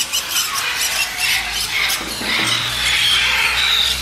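Black-headed parrot giving shrill, harsh squeals and screechy notes in quick, uneven bursts, over a steady hiss and a faint low hum.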